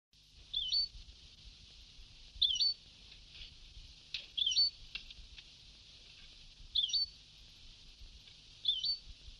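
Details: European goldfinch singing in the Sebtawi style on an old singing tape: short, high twittered phrases recurring about every two seconds over a steady tape hiss with low rumble.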